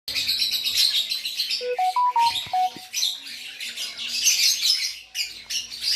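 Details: Lovebird from Aceh singing vigorously: a continuous stream of shrill, chattering high chirps in dense bursts, briefly broken by a few clear steady whistled tones at mid-range pitch.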